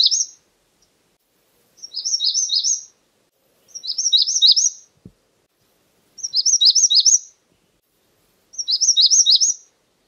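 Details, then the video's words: Magnolia warbler delivering five bright, sweet phrases of rapid looping notes, each about a second long, spaced around two seconds apart against a clean, quiet background. "Magnolia warbler Calling."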